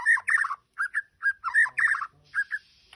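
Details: White-rumped shama from Majalengka singing a fast, varied run of chirpy, warbling phrases. Quick notes tumble together with short pauses between bursts.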